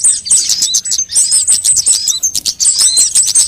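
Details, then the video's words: High sunbird calls used to lure birds and tutor them into song: quick thin chips and short whistled notes repeated in a fast, jittery stream, with one brief dip near the second second. "suara pikat semua jenis burung kolibri"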